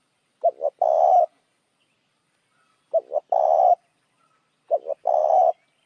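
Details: Spotted dove cooing as a lure for other doves, three evenly spaced phrases roughly two seconds apart, each a quick pair of soft coos leading into one longer, harsh, steady coo.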